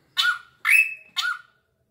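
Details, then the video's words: Bold drongo with a ringing voice gives three quick rasping notes, each turning into a whistle; the middle one is longer and higher, the outer two lower and slightly wavering. "BURUNG SRIGUNTING SUARANYA MENGGEMAH"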